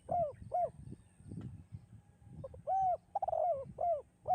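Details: Mellow coos of a spotted dove in the 'kuk 2' song style, several round arched notes and one longer wavering coo, set against faint low rumbling.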